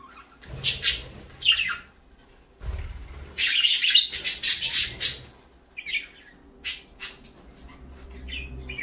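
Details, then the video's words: Parakeets in the morning giving bursts of sharp, high chirps and squeaky tweets, separated by short quiet gaps, with a faint low steady hum underneath. "parakeets morning fun"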